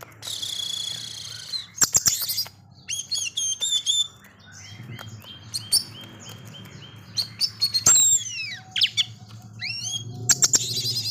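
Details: Wild-caught white-rumped shama kept as a cage bird, singing in an agitated way: varied rapid high chips, trills and swooping whistles in short bursts, with steady low hum in the background.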